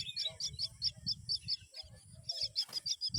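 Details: Myna bringing a green worm to its young, with a fast series of sharp, high chirps repeated over two per second, a brief gap midway, and low background rumble.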